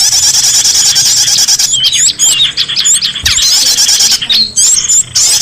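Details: Lure recording of small birds used in Indonesia to attract escaped cage birds back: dense, high-pitched chirps and quick rising and falling whistled notes overlap continuously, with short gaps between bursts.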